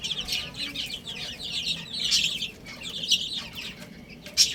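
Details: Chicks eating and playing, many tiny voices giving quick high-pitched peeps in a steady stream, with occasional crisp pecking clicks.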